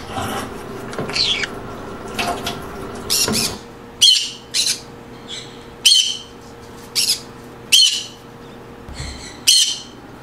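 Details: Green conure giving harsh, grating squawks, about eight in ten seconds at uneven gaps, preceded by softer scratchy chatter, with a faint steady electrical hum beneath.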